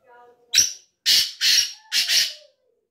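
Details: Harsh, scratchy call of a black francolin, three loud rasping notes, the last one doubled, following a faint low humming tone.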